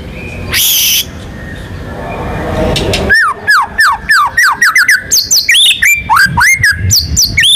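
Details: Champion white-rumped shama in full lively song, used to draw other birds into singing, with rolling and sharp phrases: after a noisy start, a fast string of clear whistled, swooping notes follows, several each second, varied in pitch.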